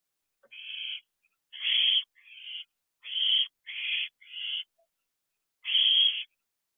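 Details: Owlets aged ten weeks calling from an owl box late at night, 19 June 2022, waiting for food: a run of harsh, breathy screeches in quick succession, a pause, then one loud final hiss.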